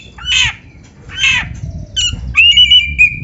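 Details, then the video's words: Oriental magpie-robin on tutor audio for caged birds: two harsh scratchy squawks, then a sustained wavering whistle over a faint low rumble. "SUARA BURUNG KACER MASTERAN"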